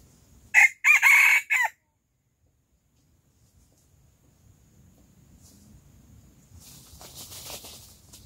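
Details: Silkie rooster crowing loud in the early morning, one rasping four-part crow near the start, then a long quiet stretch with faint low rumble and a soft hissy rustle toward the end.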